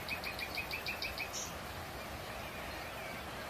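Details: A common nightingale nesting near a window, singing daily around 6:30 in the morning, delivers a quick run of about eight identical clear notes, then a single higher whistle, over steady background hiss.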